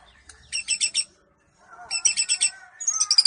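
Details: White-rumped shama of the bahorok type, a competition singer bound for a presidential cup; rapid rattling bursts of high clicking notes in short groups, separated by a soft low whistle, ending in shrill high notes.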